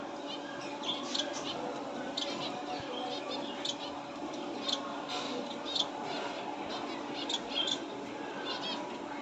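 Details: Finches chirping indoors: short, bright, high chirps come in quick irregular bursts, every second or so, over a low steady electrical hum.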